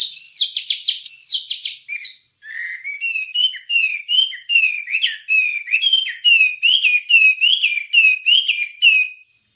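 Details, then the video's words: Wambie master song for training songbirds: rapid buzzy high trills open, then a short gap, then a long series of clear whistled notes with sharp flicks, steady and evenly paced. "Ocehan Suara Burung Wambie"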